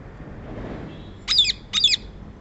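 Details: Rose-ringed parakeet, also called Indian green parrot, giving two loud, harsh, high-pitched squawks about half a second apart over a quiet background.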